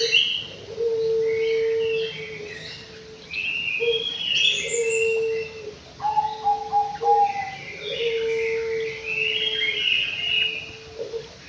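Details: White-rumped shama kept in an aviary delivering a varied, flowing song: sustained low fluty tones held for seconds, mixed with quick high warbled and swept notes, in phrases separated by short gaps.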